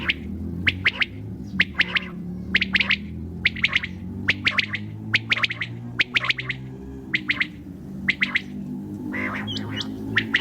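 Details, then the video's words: Common quail at night: quick, bright three-note calls repeated roughly every second over a constant low droning hum. "QUAIL SOUND||بٹیر کی اواز"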